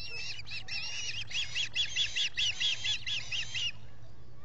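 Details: Ospreys at a solar-powered camera nest at Salt Point in the Finger Lakes, three birds at the nest in July, giving a series of about ten sharp whistled chirps, rapid and slightly rising, over a low steady hum.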